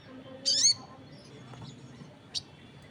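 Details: Crested jay calling while other birds answer: one loud, harsh, buzzy note lasting about a quarter second, followed about two seconds later by a much fainter short note, over quiet background hiss.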